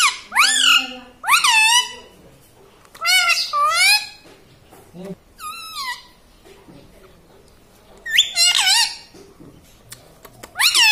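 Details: Pet parrot talking indoors, described as saying mummy and papa. Loud, harmonic, speech-like syllables come in separate bursts, each bending up then down, with quiet gaps between.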